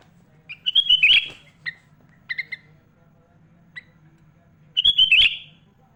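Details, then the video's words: Sooty-headed bulbul singing with imitations of other birds, used to train young and adult bulbuls; scattered short phrases of twisting, slurred whistles and clipped double notes with gaps between, and a faint constant hum behind. "Suara Burung Kutilang Gacor Full ISIAN MEWAH"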